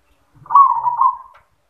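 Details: A single yoman-style zebra dove song phrase: a smooth, quavering coo lasting just under a second that fades out, with nothing else audible.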